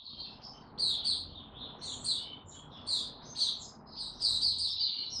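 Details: White-eye song recorded in warm, very humid weather on 26 March 2022. Thin, high chirps and twitters come in bursts over a steady hiss of broad background noise.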